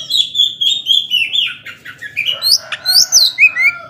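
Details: An Oriental magpie-robin sings in the 'ngobra' style meant to rouse slow-tempered rivals. It gives a series of clear whistled notes, steady at first, then sliding, rising and dipping in quick succession.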